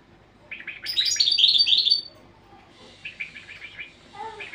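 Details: European goldfinch training song: a fast liquid twitter of high chirping notes that builds to a bright, dense burst, then falls to quieter, scattered tweets after a brief pause.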